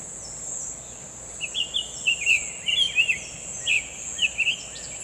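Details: Summer tanager singing vigorously in the wild: short, slurred whistled phrases around two to three thousand cycles, delivered in quick uneven bursts about every half second, over a steady high insect drone.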